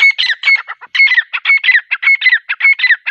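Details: Grey francolin, locally called teetar, calling: a loud, rapid run of harsh, ringing notes grouped into short phrases that repeat steadily about twice a second, with a bright tonal edge, and no other sounds present.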